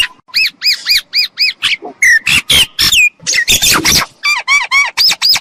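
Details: Myna calls used as a lure for trapping: quick runs of arched, whistled notes at about four per second, broken by harsh squawks and rasping bursts, then more clear whistles toward the end.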